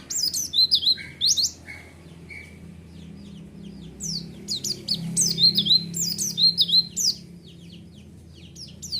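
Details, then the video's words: Provocation lure of white-eye song: two bursts of quick, high, falling chirps separated by a quieter pause, the second burst longer and busier, with soft low hum beneath. "Pleci Yang Dengar Langsung Respon//Pancingan Suara Burung Pleci"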